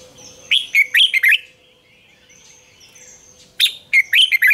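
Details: Red-whiskered bulbul giving its morning song in an old wild bird's double-note style, a lure for training: two quick strings of four or five loud, rolling, whistled notes separated by a quiet gap.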